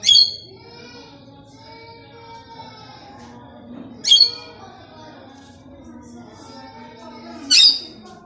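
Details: A pet Plum-headed parakeet (Psittacula cyanocephala) gives three shrill, harsh squawks roughly every three to four seconds, while a person softly calls and coaxes it in Hindi between the squawks.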